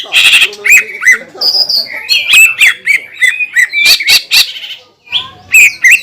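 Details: Provocative song of a green leafbird meant to excite rival leafbirds: harsh rasping opener, then a jumble of whistled slurs, squeaks and sharp clicks, a short gap, and renewed chirping.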